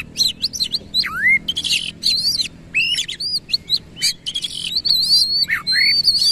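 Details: Oriental magpie-robin (kacer) in full 'gacor' song, fanning its tail and giving 'isian kasar' rough filler phrases: loud varied whistles, steep falling and rising sweeps, and harsh buzzy bursts in quick succession, with no other sounds.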